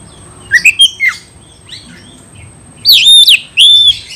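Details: Oriental magpie-robin summoning a rival for a fight: a few quick slurred whistles, a quiet pause, then two loud bright ringing whistled notes that dip and rise, over light background hiss and a steady high whine.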